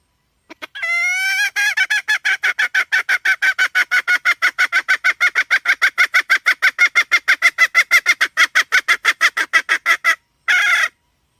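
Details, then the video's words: A hen sounds one brief drawn note, then a long, steady series of loud, harsh clucks about three per second for nearly ten seconds. A short pause follows, then one final burst. "suab poj qaib seev dib tuaj zoo heev"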